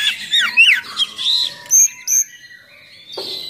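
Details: Oriental magpie-robin singing with coarse filler notes, used as a lure and tutor for other magpie-robins; sweeping whistled slurs, a long lower drawn whistle, then a few thin high piping notes before a short harsh burst.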